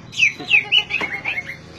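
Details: Short burst of oriental magpie-robin song for stimulating non-singing magpie-robins: three or four loud slurred whistles falling in pitch, followed by softer chirps.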